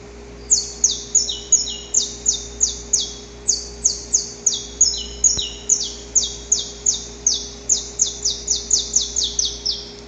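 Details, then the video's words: A saffron finch, recorded in the wild, sings a steady run of sharp, high, down-slurred chirps, about two or three each second, over a faint low hum. "Canto Para Esquentar o Canário da Terra"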